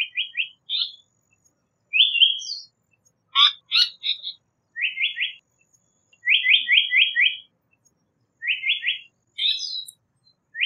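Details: Japanese paradise flycatcher song, a run of clear whistled phrases, mostly rapid triplets and quadruplets of slurred notes, with a few sharper higher chips in between, repeated steadily with brief pauses and nothing else audible.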